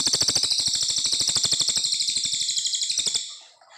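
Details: Brown fulvetta in full long song, recorded as a tutor for white-rumped shamas: one sustained, rapid, high-pitched trill of steady pulsed notes lasting about three seconds, then fading out.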